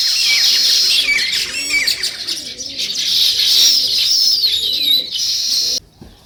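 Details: A dense chorus of high chirps and sliding whistles from sparrows, described as weaver birds, with soft low cooing from another bird underneath; the chatter stops abruptly near the end.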